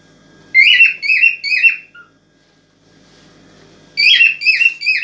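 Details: Excited cockatiel song aimed at stimulating a female to mate: two short runs of three ringing, harmonic chirps, each note dipping in pitch, with a silent gap of about two seconds between the runs.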